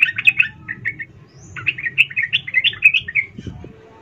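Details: Sooty-headed bulbul female calling to a male: quick bubbly chirps in a short burst, a brief gap, then a longer rolling run of liquid notes.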